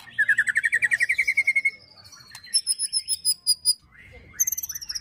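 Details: White-rumped shama rattling ketrekan song with cililin and prenjak fill-ins, used to provoke and train birds: a rapid even trill of slurred notes, then a high pure repeated piping series and a closing burst of fast chirps.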